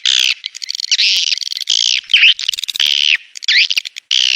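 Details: Mating call of swiftlets, 'Birahi Lintas Senja' lure version from 2023, used to attract swiftlets: loud harsh buzzy chirps of varying length alternating with softer rattling twitters and a few sharp clicks.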